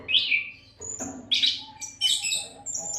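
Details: Oriental magpie-robin giving continuous song used as training material for other songbirds: loud whistled and harsh phrases jumping between high and lower notes, separated by short pauses, with a faint low hum beneath.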